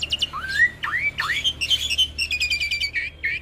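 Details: A hybrid Asian pied starling × jalak nias, used as a song tutor, sings a varied run of clear rising whistles, then quick repeated chattering notes and slurred phrases, all bright and high-pitched.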